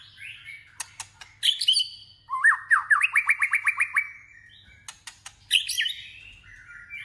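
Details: Competitive singing by a white-rumped shama in voice training. Sharp clicks and whistles lead into a rapid run of about nine rising slurred notes, followed by further high whistled phrases.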